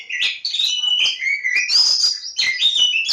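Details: Kacer Jawa (Oriental magpie-robin), lebakgowah, in a dense unbroken burst of song: sliding whistles, quick chirps and scratchy notes packed closely together, swinging up and down without pause.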